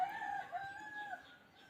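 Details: A wild chicken gives a thin, drawn-out tail of a crow that fades over more than a second against soft background noise. The crowing serves to draw birds in for trapping.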